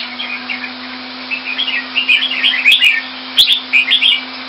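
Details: Red-whiskered bulbul, a kept Singapore jambul, delivering quick bubbling whistled notes that build into a denser warbling burst toward the end, with a constant low hum beneath.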